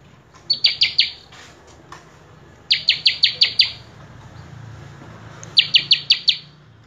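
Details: Prenjak kepala merah, a common tailorbird, singing gacor full isian: three bursts of five or six quick, sharp high notes, separated by pauses of about two seconds over a quiet low hum.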